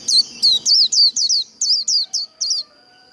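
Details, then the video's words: Japanese white-eye singing in the líu đấu style, a fast series of about nine sharp, high downslurred whistled notes, roughly four per second, then a steady faint high tone remains after the notes stop. "Vành khuyên líu đấu"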